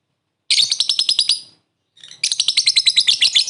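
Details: Lovebird calling out to a rival with a brief laughing ngekek for luring: a fast shrill chattering run, a short pause, then a second longer run of rapid piercing notes.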